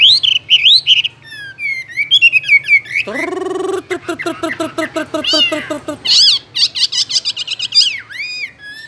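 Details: Caged Chinese hwamei singing a loud, varied song: rapid high whistled and slurred notes, then a run of lower buzzy repeated notes, then bright rising and falling whistles with quick trills.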